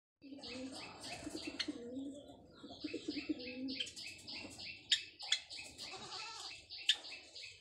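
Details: Captive white Java sparrows, a breeding pair busy building their nest, giving a mating call: a steady run of high, clicking, bell-like notes over lower soft cooing sounds throughout.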